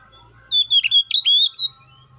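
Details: A singing Oriental magpie-robin calls out to a rival, used to prompt other magpie-robins to sing: one brief phrase of clear, wavering whistles that dip and rise, with a faint low hum behind.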